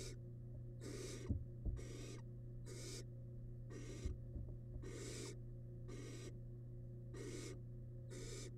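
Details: Wild barn owl chick inside a research nest box, eating a large rabbit remain, gives a long run of harsh breathy hisses, around eight bursts with irregular gaps, plus scattered knocks and a low background hum.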